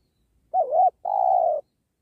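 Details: Spotted dove (tekukur) heard while trapping near a sacred tree: one wavering, dipping coo followed by a longer, steady, gently falling mellow coo, in otherwise quiet surroundings.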